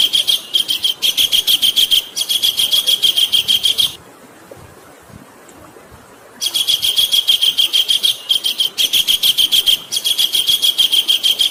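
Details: Harsh chattering rattle of a Javan kingfisher, played as a training call for cage birds. Fast, even notes pour out in bursts of several seconds, split by a quiet pause of over two seconds.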